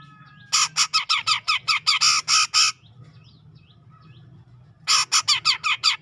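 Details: In tropical Sumatran forest near Medan, a grey-cheeked bulbul repeats loud, harsh, buzzy notes about three per second for two seconds. After a quiet spell it starts a similar run.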